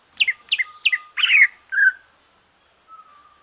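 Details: Green leafbird after moulting, its song used as a stimulus for other birds: three quick descending chirps followed by a louder buzzy note and a thin high whistle, then near silence with a faint low whistle.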